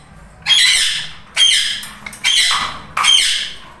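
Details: Two tame Indian ringneck parrots, one lutino, kept indoors and bonding: four harsh, loud screeching squawks, each about half a second long, spaced about a second apart in a small room.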